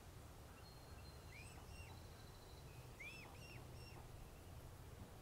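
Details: Young mute swan, a cygnet with its father at Plymouth, Massachusetts, 21 June 2020, calling out for its mother and siblings out of range. A few soft, arched, whistled peeps in two short groups, over steady low background noise.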